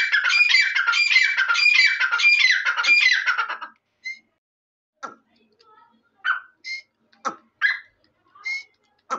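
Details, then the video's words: Grey francolin (Dakhni or Irani teetar) gives a loud harsh series of quickly repeated grating phrases for nearly four seconds. Sparse short sharp notes and clicks follow with quiet gaps. "Dakhni Teeter ki Awaz | Irani Teeter Voice| ایرانی تیتر کی آواز"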